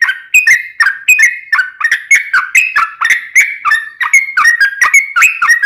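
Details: Continuous ropelan song of a Yellow-vented bulbul, meant as a training master and lure for wild birds: quick, liquid whistled phrases tumbling one after another without pause, with bright clicks at each note's start.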